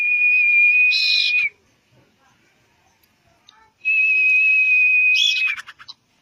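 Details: Common iora song used as bait to prompt a bird to sing: two long, steady, high whistled notes, each held over a second and ending in a brief buzzy flourish, separated by a quiet pause.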